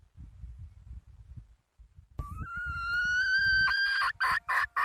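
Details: Red junglefowl hen calling after a stretch of low background rumble: a long, rising, clear whistled tone that breaks into rapid clipped cackling notes near the end.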